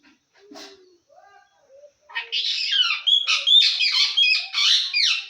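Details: Assamese talking parrot kept as a pet, known for phrases like "hello" and "o kaka". A few soft syllables come first, then a loud run of harsh, rapid squawks and chatter fills the second half.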